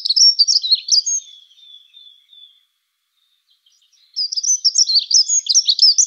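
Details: Dunnock (Prunella modularis) singing: a rapid, high, jingling warble in two bursts about three seconds apart, with a thin, fading level tone trailing after the first burst, then near silence before the second.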